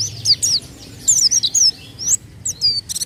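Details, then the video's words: White-eye song used as a lure for other birds: quick high chirps and twittering notes in separate bursts, with clear gaps between phrases and faint low hum underneath. "pancingan bunyi burung pleci bahan"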